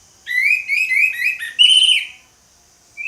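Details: Orange-headed thrush in loud 'ngeplong' song, a series of short level whistles repeated in a row, then a brighter higher rising phrase, followed by a brief pause and the start of another note.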